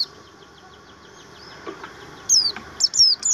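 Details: A captive Javan grey-throated white-eye, kept as song tutor material, gives faint high chips, then bursts of thin, high whistled notes that slur downward, about three phrases in quick succession.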